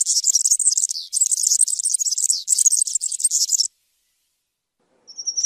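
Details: Rapid, scratchy jingling from a European serin runs in near-continuous bursts for almost four seconds. After a silence, one thin, high, steady whistle follows.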